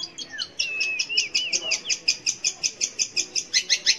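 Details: Long-tailed shrike song meant to lure young or silent shrikes into singing, opening with falling and wavering whistles, then a steady train of sharp chattering notes about four per second.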